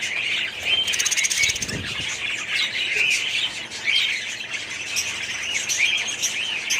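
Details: Colony of budgerigars in an aviary, 2017: continuous chirping and warbling chatter from many birds, a short buzzy rattle around one second and a dull low thud near two seconds.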